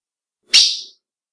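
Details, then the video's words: A single hoarse, explosive chip from a female ultramarine grosbeak, the call said to excite males, with nothing else audible. "PIADO DE AZULÃO FÊMEO Para Esquenta qualquer Azulão!"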